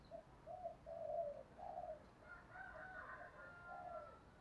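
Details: Spotted dove used as a decoy to lure wild birds, giving a string of four mellow low coos amid steady background hiss. A higher, whistled chatter from other birds overlaps in the second half.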